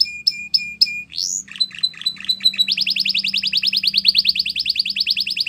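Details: Tutor song of a Belgian canary for young birds. Short repeated whistled notes lead into an upward sweep, choppy phrases, then a long fast rolling trill at high pitch.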